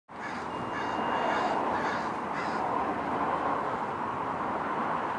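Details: American crows mobbing a predator, a dense chorus of harsh caws overlapping continuously with steady background noise.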